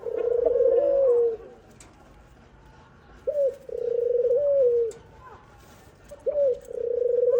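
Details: While being fed by its mother, a young dove repeats a clipped upward note followed by a long steady whistle, about every two and a half seconds.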